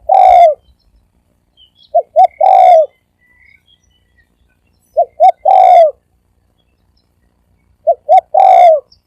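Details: Spotted dove cooing quickly in the thổ ồm and thổ vang styles: repeated phrases of two short hoots and a drawn, falling, buzzy coo, about three seconds apart.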